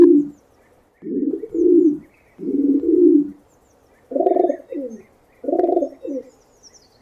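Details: Real pigeon arrullo heard in 8D: a run of soft, low coos, with long swelling hoots first and then shorter rolling phrases that end in quick falling warbles.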